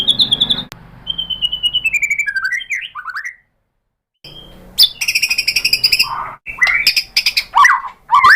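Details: White-rumped shama singing, a sound meant to spur other shamas to sing: a fast trilled series, descending whistled phrases, a brief silence, then harsh chattering bursts and sharp rising whistles.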